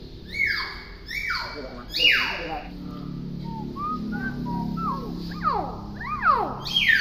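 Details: Tame, talkative pet hill myna producing loud harsh downward-sweeping screeches, then a run of short wavy whistles and more rasping sweeps, over a low indoor hum.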